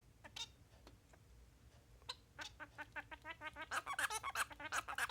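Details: Male Bengalese finch practising its song: a run of short, buzzy harmonic notes that starts sparse, then speeds into a dense, rhythmic, rising sequence of repeated chirps over about five seconds.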